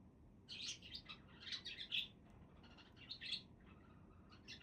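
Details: Budgerigar chatter: bursts of busy, buzzy high chirps grouped in short phrases, roughly two clusters, separated by a quieter stretch.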